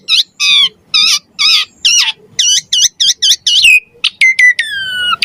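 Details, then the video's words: Energetic Javan pied starling song with pumping and varied fill-in phrases: repeated buzzy, harmonic rolled notes in quick succession, then clear descending whistles trailing into a long falling whistled note. "Suara Jalak Suren Gacor Mompa Variasi Isian Mewah"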